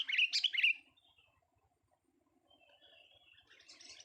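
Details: Young sooty-headed bulbul in a vocal test: a loud burst of bright, chirpy notes in the first second, then near silence with faint, scratchy twittering toward the end.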